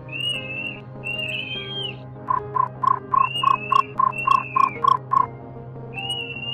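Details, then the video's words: Nightjar call used as a lure for night-net trapping of migratory birds: a quick run of about a dozen hollow, knocking notes, roughly four a second, with long, thin whistles before and after, over a low steady hum. "Tiếng Chim Cú Muỗi"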